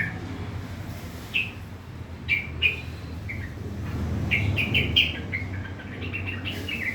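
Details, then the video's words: Harsh morning 'ngriwik' song from a kept sooty-headed bulbul: separate sharp, slurred chirps spaced a second apart, then a quicker cluster of clipped notes, with faint low hum and occasional knocks. "Gacor Trucukan bunyi kasar di pagi hari"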